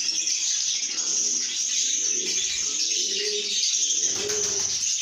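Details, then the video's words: Lovebirds singing and chirping in a good mood: a dense, continuous wash of high twittering and squeaky chatter, with soft lower cooing notes rising and falling underneath. "lovebirds make happy sounds"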